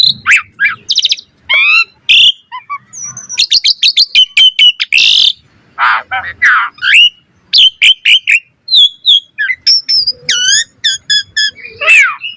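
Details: Asian pied starling singing 'gacor full isian', a fill-rich song used as a training master for other starlings: rapid run of rising whistles, harsh buzzy bursts and stacked chattering notes in quick succession.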